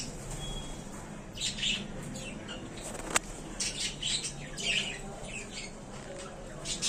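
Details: Happy budgerigars in their new small cage trade quick high chirps and rasping squawks, with a sharp click partway through and steady low hum underneath.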